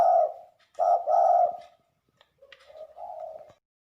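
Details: Lure spotted dove from Liwa, West Lampung, cooing: loud, low, rounded phrases in a short burst, a brief pause, then softer, rising and falling coos.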